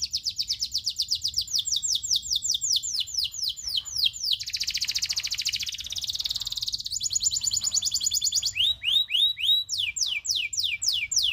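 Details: Local canary, loper type, tutor song with long rolls: loud fast series of downslurred whistled notes, a dense buzzy rolling trill in the middle, then more quick repeated sweeping notes.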